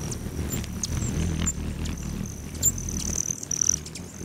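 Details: At patio feeders of a lodge bordering Great Sand Dunes National Park, Colorado, hummingbirds give an on-and-off high, thin buzzing trill broken by brief sharp chips. Recorded July 29, mid-morning, over soft low background noise.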